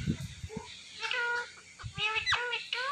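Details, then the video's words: Pet Indian ringneck parakeet talking: a string of short, voice-like harmonic syllables, some rising and falling, with brief gaps and low background thumps; the words "me too" follow. "The Best Talking Ringneck Talking Parrot"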